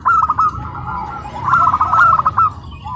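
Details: Zebra dove song from a tame, house-raised local wild-type bird at a contest at PLN Karawang, Indonesia: two quick rolling phrases of trilled, purring coos, the second fuller and longer, with a faint background murmur.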